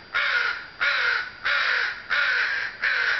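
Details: Harsh, raspy crow caws on a sunny June afternoon, five even calls repeating about every two-thirds of a second.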